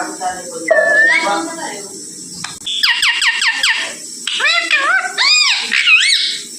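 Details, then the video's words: A parrot talks in its own voice, high, nasal and speech-like, with rising and falling harmonic syllables in short bursts over a steady background hum. "parrot original voice"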